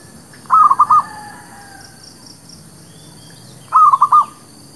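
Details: Zebra dove lure song meant to attract birds for trapping: two short, even bursts of quick staccato cooing notes about three seconds apart, low hum behind.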